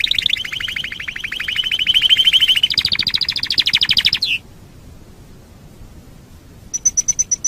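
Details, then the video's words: Canary song from a master track for teaching other birds: a steady rolling trill that shifts up to a higher, louder tour, breaks off into quiet, then resumes as a high thin trill. "Masteran Suara Kenari"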